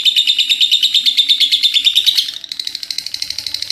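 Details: Loud, shrill lovebird ngekek chatter of fast repeated buzzy notes for about two seconds, then continuing at lower volume as an even, high clicking rattle.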